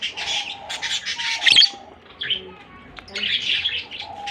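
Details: Buzzy, rasping chatter from a pair of lovebirds, one blue and one albino white, comes in dense bursts separated by short pauses, with one sharp squawk midway.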